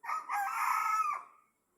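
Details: A roughly three-year-old laying hen, which last laid eggs six months ago, now crows like a rooster: a single harsh, drawn-out cry of about one and a half seconds that holds steady, then drops away.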